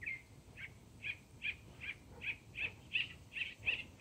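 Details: Mockingbird delivering one short clear note over and over, about ten times in four seconds at a fairly even pace, the later notes slightly louder, with soft low rumble behind.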